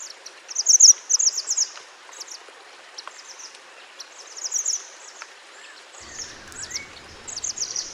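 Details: Wild mountain white-eye, recorded in nature as a training master for other birds: short, high twittering chirp phrases in bursts, pausing between groups, over a steady hiss like running water.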